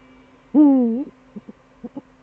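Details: Eurasian eagle-owl male at the nest during a duet, Eifel, December 2013 evening: one long, loud, deep hoot that dips and rises slightly at the end, then four soft, short low notes in two pairs.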